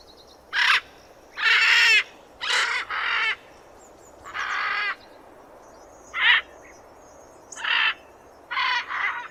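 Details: Macaw calls: a series of loud, grating squawks, some paired, others single, spread irregularly over nine seconds against a quiet background.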